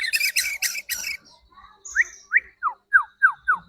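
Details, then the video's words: Lure song of a white-rumped shama meant to rouse other birds to sing: harsh buzzy bursts, then a thin whistle and a series of sharp downslurred notes repeated about every third of a second. "Pancingan Murai Agar Cepat emosi dan bunyi"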